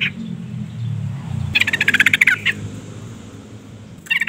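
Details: Female yellow-vented bulbul calling to a male: one lively burst of about a dozen quick, raspy notes over a low hum, then a short new burst at the end.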